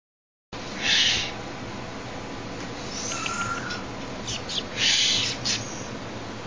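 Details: Captive juvenile Tengmalm's owl playfully pawing at a person's hand: two loud breathy hisses about four seconds apart, with softer rasping sounds between them over steady background hiss.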